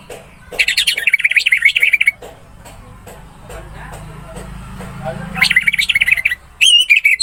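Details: Orange-headed thrush training song: a long rapid warbling phrase, a pause filled with low rumbling background, then another rapid phrase and a short higher trill at the end.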